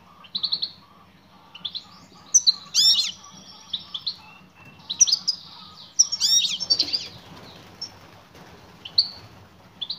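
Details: Female European goldfinch calling to a male: bursts of high, thin chirps and short twittering notes at irregular intervals, with a rapid buzzy run of notes near the middle and faint low background hum.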